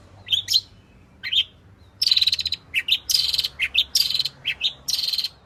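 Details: Long-tailed shrike, 'full isian' lure song to draw out singing in other shrikes. Harsh, rasping buzzy bursts alternate with short squeaky chirps in an uneven, scolding rhythm.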